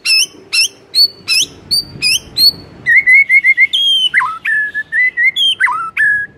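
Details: White-rumped shama morning song: a fast, varied run of loud whistles, first high, short rising notes with rich overtones, then lower level and swooping whistled phrases that repeat in quick succession.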